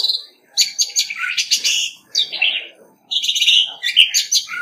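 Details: Competitive song of a decoy Orange-headed thrush, no background noise: dense, scratchy, high twittering phrases packed closely together with brief gaps between bursts.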